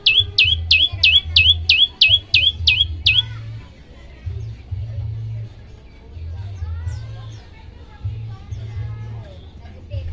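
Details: Olive-backed tailorbird song used to get all birds singing: about nine loud, evenly spaced high notes over three seconds, each a sharp slur into a level tone, then softer faint chirps and a low background hum.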